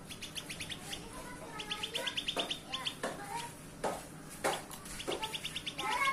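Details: A pair of grey-bellied bulbuls singing: short whistled phrases around the middle register mixed with rapid, high chirping notes in quick series and sharp clicks, busy and continuous throughout.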